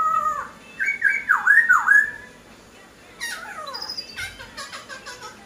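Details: Laughingthrush in full song: loud looping whistled phrases rising and falling, followed after a pause by a burst of fast, scratchy, descending notes.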